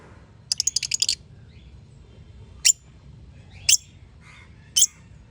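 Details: Parrot-family bird chirping: a fast stuttering burst of about seven high ticking notes, then three single sharp chirps spaced roughly a second apart, against faint low rumble.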